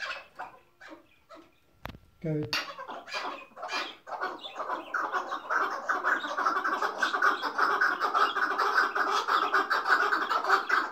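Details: A tethered decoy chukar partridge kept for hunting gives harsh, rhythmic chuck notes that swell into a fast, continuous cackling series, after a sharp knock near the start.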